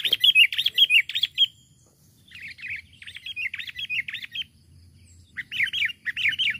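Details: Sooty-headed bulbul calling to a rival, recorded as a lure for birds: three bursts of quick, chattering, bubbly notes, each burst lasting one to two seconds, separated by short quiet gaps.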